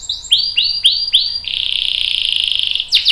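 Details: Canary singing a long roll meant to prompt other birds to join in: four swooping whistled notes, then a fast buzzy trill held for over a second, ending in sharp chips.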